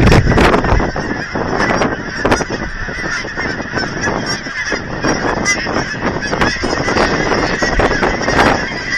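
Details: Geese gathered by the thousands at an aquatic center in Hereford, Texas, honk constantly as people feed them, with nasal, harmonic honks repeating several times a second in a busy flock chorus.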